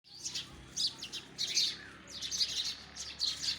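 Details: Sparrows chirping: bursts of bright, high chirps in quick clusters, pausing briefly between groups, over a faint low hum.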